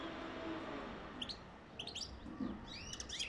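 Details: European goldfinch singing to encourage mating: quick high twittering chirps and short buzzy notes in scattered bursts during the second half, over a low steady background hiss.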